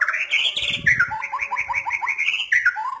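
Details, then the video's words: White-rumped shama delivering quick strings of short whistled notes, about eight in a rhythmic series, opening with a bright rising phrase. A faint low rumble sits underneath. "KICAU MANIA, MURAI BATU"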